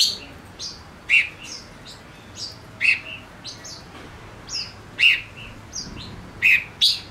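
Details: Male Gouldian finch decoy song used to bring in wild birds: a lively string of bright chirps and high squeaky notes, steadily repeated with a few louder accents.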